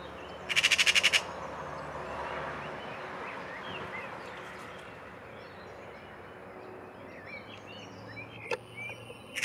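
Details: Eurasian magpie (Pica pica) taunting a cat in Île-de-France, France, in April 2023: one short, harsh rattling burst of about eight rapid pulses near the start, then faint chirps from other small birds and a sharp click at the end.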